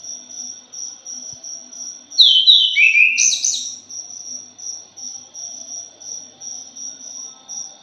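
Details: Punglor jali thrush in a lure recording gives one loud, fast phrase of sliding whistles ending in a harsh burst, set against a continuous rhythmic high-pitched cricket chirping before and after.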